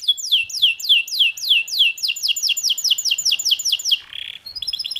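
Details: A canary delivers a fast rolling trill of high, downward-sweeping notes, about fifteen in a row, then a short buzzy note and the start of a new, quicker trill.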